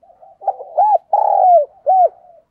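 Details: Decoy spotted dove cooing to attract wild doves, a full phrase of low rounded coos: soft opening murmur, two arched notes, a long vibrating descending purr and a final curved coo, clean background.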